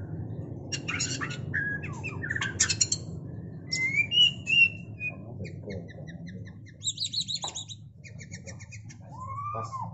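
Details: White-rumped shama mating, scratchy squawks followed by a few clear whistles and a rapid run of clicking, ticking notes with buzzy trills, over a low rumbling hum.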